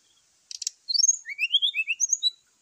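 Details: Morning fighting call from a brown-chested jungle flycatcher, meant to stir rival birds: a short clicking rattle, then a lively sequence of about a dozen rising and falling whistled notes.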